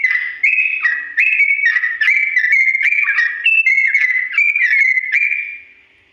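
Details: Sooty-headed bulbul's long slow ropel song for birds to learn from: a chain of whistled notes about every half second, each sliding slightly, alternating two pitch steps, ending in a fade to quiet.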